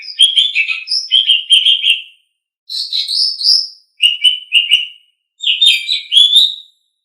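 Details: A caged Asian pied starling sings for tutoring pet birds: groups of quick, fluty chattering notes, a rising whistle, then more clustered phrases separated by brief silences.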